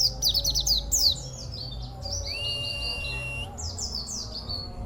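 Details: Local Oriental white-eye with a rare, odd song character: fast bright twitter bursts, a rising whistle in the middle, then more sweeping chirps, with low background hum.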